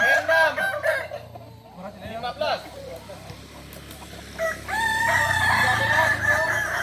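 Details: Kukuak balenggek rooster crowing at a practice gathering in Solok, a drawn-out crow with falling, stepped notes at the start, a quieter stretch of murmuring and hum, then another loud sustained crow near the end.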